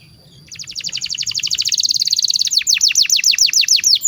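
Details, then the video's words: Canary song played as a master recording for young birds: a fast even trill of short repeated notes, then slower broad downward-swept whistles, over a soft low background hum. "SUARA BURUNG KENARI PANCINGAN MASTERAN PAUD BIAR GACOR PANJANG"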